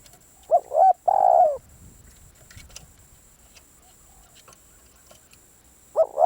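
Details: Spotted dove decoy calling, a caged bird used to lure wild doves: three short hoarse rolled coos in a mid-low register, two close together near the start and one at the end, with quiet background between.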